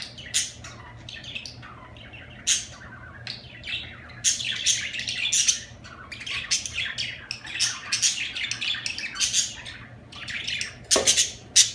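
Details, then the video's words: Budgerigar chattering steadily, a long run of rapid scratchy chirps, clicks and squawks rising and falling in loudness, low hum behind. "اجمل تغريد في العالم طيور الحب البادجي"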